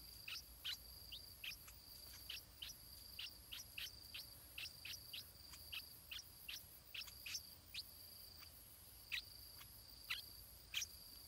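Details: Stripe-throated bulbul chick in the nest calls for food with a long, fairly steady string of thin, high chips, two or three per second, with a constant high insect drone behind them.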